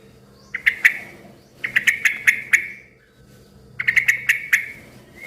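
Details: A loud, busy yellow-vented bulbul heard as a lure for other bulbuls. Three bursts of crisp, clicking chips, each burst a quick string of two to five notes, against a quiet low background hum.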